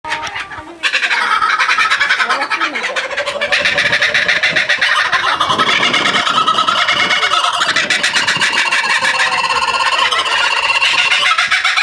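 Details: Captive laughing kookaburra at Higashiyama Zoo, recorded after an hour and a half of waiting: loud, continuous raucous cackling, harsh and rhythmic, rising and falling in waves for about eleven seconds.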